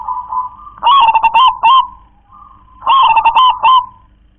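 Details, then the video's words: Zebra dove, local natural bird, delivering its KONG-KLAR-KE-TEK-KONG song: two loud phrases of quick, knocking coo notes, each preceded by a softer, level drawn note. "perkutut lokal warisan suara KONG‼️KLAR-KE-TEK-KONG"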